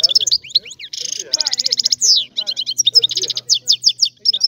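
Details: European goldfinch of Sicilian stock singing a rare old-style song, a busy stream of high tinkling twitters, rapid buzzy rattling trills and sharp slurred notes, delivered almost without pause.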